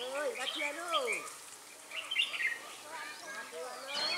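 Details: Red-whiskered bulbul, trapping session at Ba Thá on 18 December 2016. Clear chirpy phrases come in several bursts, mixed with lower looping, gliding notes from other birds or voices.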